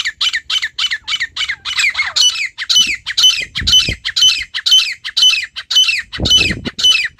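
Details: A wild female partridge's natural call: continuous rasping, high, buzzy notes repeated about twice a second, with brief low thumps in the background.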